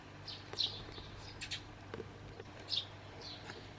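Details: Pet sparrow answering its owner's whistle: two short, bright chirps about two seconds apart, with a few fainter chirps between them over a low, steady background hum.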